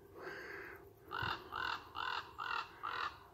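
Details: A forest common raven on 1 August 2021 "meows", giving one drawn-out nasal call, then five short, arched, cat-like mewing notes at about two per second.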